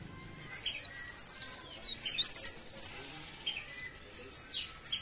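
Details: Leaf warbler singing actively: a fast, high, thin warble of wavering whistled notes, bursting in around the second second, with scattered sharp downslurred chirps before and after.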